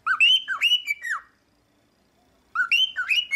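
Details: Cockatiel singing, used to teach a pet cockatiel to sing: bursts of rich harmonic whistles that swoop up then slide down, three quick phrases, a second of silence, then two more rising whistles.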